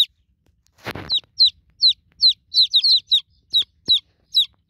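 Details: Chicken chicks, newly hatched, cry for their broody mother hen with evenly spaced, sharp descending peeps. A short rustling burst sounds near the start, and a single click occurs later.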